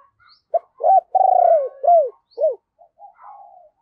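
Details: Lure spotted dove giving thúc and gáy calls for wild doves. A quick series of loud, arched coos includes one long, drawn-out falling note, then tapers into faint cooing.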